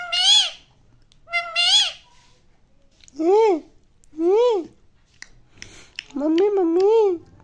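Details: Loud Indian parrot repeating "mummy" indoors: two bright harmonic syllables, then lower arched, voice-like words in steady succession, ending in a longer wavering phrase.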